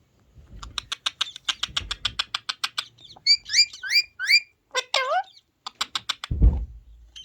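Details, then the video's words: Ringneck parrot being trained to talk by playing a parrot voice from a mobile phone: fast rapid ticking pulses, then bright upswept squeaks and a few falling notes, ending in a dull knock. "Ringneck Parrot talking video | Ringneck parrot Talking Sound"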